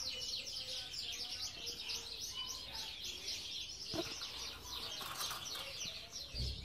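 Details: Belgian canaries in a breeder's aviary, many birds chirping and twittering together in a dense, continuous high-pitched chorus of rapid trills and short notes, with a few lower tones and faint background noise.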